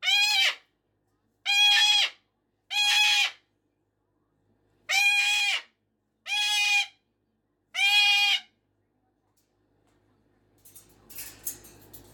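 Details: Pet cockatoo at 5:15 in the morning or evening screams six times in two sets of three, each call harsh and sustained, then a pause and faint indoor rustling noise.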